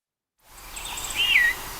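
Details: Recorded in Ontario, a begging juvenile Rose-breasted Grosbeak gives a single slurred, downward "zweer", bright and whistled, over a steady hiss of background noise.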